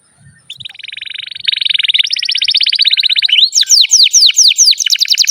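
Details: Canary in long continuous song: a fast buzzy trill running about one second, then a higher rapid rattling trill, switching to loud sweeping down-slurred whistles repeated quickly near the end, clean with no background noise.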